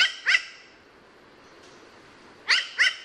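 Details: A raven, a species of Australia, Oceania and South-East Asia, gives two pairs of harsh, nasal, rasping calls, one at the start and one after a two-second pause, with quiet background between.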